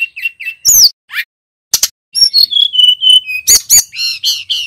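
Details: Male bar-winged prinia singing: short whistles, a loud slurred note and sharp clicks, then an even sequence of clear whistles that step gently downward, ending in buzzy chirps.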